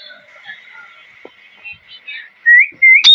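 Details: Faint scattered parrot chirps build into clear rising whistled notes, ending in a sudden harsh squawk.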